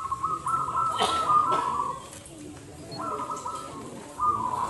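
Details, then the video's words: Local zebra doves (perkutut) at a singing competition. Loud, rolling cooing song in trilled phrases about a second long, separated by short pauses. Steady crowd chatter and background noise run underneath. "Lomba Perkutut Gacor 100% Lokal Manggung Nggayer Suara Besar"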